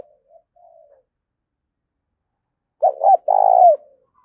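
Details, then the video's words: Spotted dove coo used for luring and training decoy birds: a few faint, soft low notes, a pause, then one strong phrase of two clipped notes and a long vibrating coo that fades away. "Tiếng chim cu gáy kích bổi và tập mồi hiệu quả nhất, cu gay kich boi nhanh noi gù"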